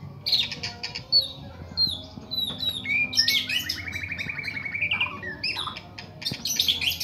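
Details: Young male white-rumped shama, caged, singing against other captive-bred birds: a run of sharp, varied whistles and chips, then a fast buzzy trill near the middle that rises slightly before breaking into scattered high notes.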